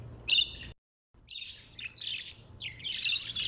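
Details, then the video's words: Budgerigars chattering in bright, scratchy bursts of chirps and warbles in the upper treble, running almost continuously after a brief silent break. "تغريد عصافير البادجي"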